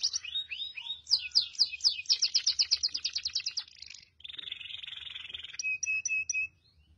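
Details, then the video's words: Song of a male goldfinch × canary mule: swooping twitters open into a fast rolling trill of bright repeated notes, followed by a sustained harsh buzzy rattle and a brief burst of clipped metallic notes before falling quiet. "تغريد فحل ملتش جزري"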